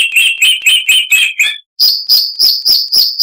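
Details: Harsh-voiced chalk-browed mockingbird song for tutoring cage birds: a rapid burst of buzzy mid-pitched notes, a brief gap, then sharper high notes repeated about four times a second.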